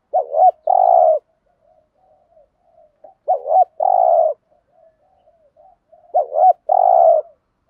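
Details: Caged decoy spotted dove giving the 'thúc gù' cooing style: three low phrases about three seconds apart, each a quick wavering double note followed by a longer, steadier coo, with faint soft murmurs between.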